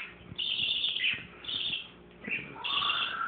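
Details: Adult parakeets and a baby parakeet chatter in long raspy high bursts, broken by brief pauses, with a lower thin whistle sliding upward toward the end.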